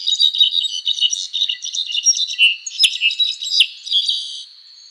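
An Azure-rumped Tanager gives a rapid jumble of high, thin chirps and twittering notes, about two or three per second, with no other sounds.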